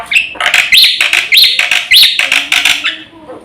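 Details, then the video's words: Black-winged myna in energetic full song, meant as a lure and master for training birds; rising whistled slurs repeat about every half second between harsh, grating chatter. "SUARA BURUNG JALAK PUTIH GACOR FULL ISIAN JUARA HEBAT UNTUK PANCINGAN & MASTERAN"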